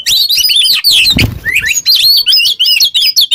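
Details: Kacer (Oriental magpie-robin) 'ngobra teler' song for training other birds: quick chattering and whistled notes, briefly interrupted near the middle by a soft thump, then resuming with rapid twittering.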